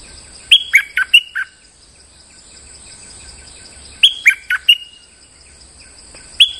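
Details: Molting bulbul keeping up its lure song: bouncy five-note whistled phrases delivered about every three and a half seconds, each note bright and clipped, against a quiet continuous hum.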